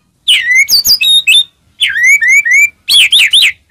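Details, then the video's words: White-rumped shama singing to provoke other shamas into song: clear loud whistles sliding down, grouped in short phrases with brief pauses, ending with quick swooping notes. "murai batu gacor, AMPUH buat pancingan murai batu agar bunyi"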